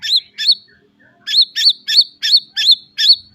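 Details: White-rumped shama in captivity, recorded as training song for young birds, repeating a sharp, rising-falling whistled note about three times a second in a steady series.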